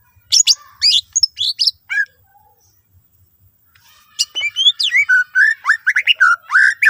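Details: Greater green leafbird pouring out fill-in phrases to make other leafbirds sing along: high chirps and slurs, a near-silent pause, then a lower flowing series of rising whistles and chirps.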